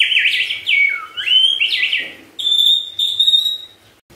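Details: White-rumped shama whistling a lure song to get other shamas singing: clear, swooping whistles rising and falling, followed by long steady high-pitched whistled notes.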